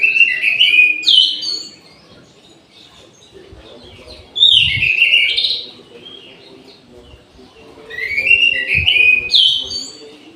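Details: Caged orange-headed thrush singing in an aviary at midday, giving three rich, warbling, whistled phrases about four seconds apart, each a tumbling rush of notes, with quiet pauses between.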